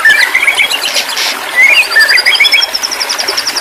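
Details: White-rumped shama song used as therapy audio for stressed birds that stopped singing: clear rising whistles and slurred notes, then a run of fast high twittering notes, with a steady background hiss.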